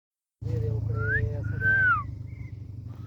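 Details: A blue Indian ringneck parakeet talks in short, speech-like phrases with a bright whistled rise and a drawn-out falling note, over a steady low rumble.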